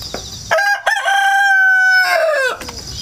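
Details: Rooster hatched indoors and raised in the countryside, crowing over and over on 1 September 2019, captured with a GoPro and wireless mic on a ladder; one long harmonic cock-a-doodle-doo, steady then falling at the end, with faint insects around it.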